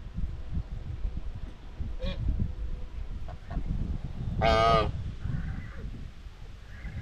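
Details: Domestic White Chinese geese in a farm flock, grazing and exchanging social talk: a single strong, brassy honk stands out midway, preceded by faint short calls, over steady low rustling and handling noise.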